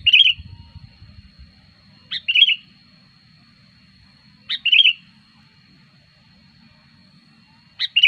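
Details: Sooty-headed bulbul, used as a lure for trapping wild birds, giving three short, bright, chirpy bursts spaced about two seconds apart, with a steady faint high tone and low rumble behind.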